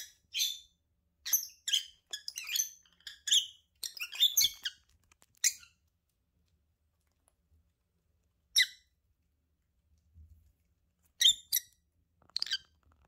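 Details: Lovebird couple chattering: a rapid run of thin, piercing chirps and squeaks for the first few seconds, then single shrill notes scattered among silent gaps.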